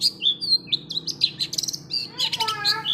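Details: Long-tailed shrike song made of high whistled chirps and short slurred notes, ending in a downward sweeping series of whistles.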